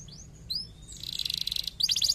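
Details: Canary singing to prompt other canaries into song: a few thin rising and falling whistles, then a rapid pulsing high trill and a sharp burst of chattering notes at the end.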